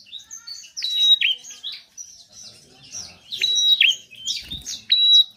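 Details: Bar-winged prinia in full lively song, played to make reluctant birds sing: a stream of thin high chips and twittering notes punctuated by long level whistles, with a brief low thump midway.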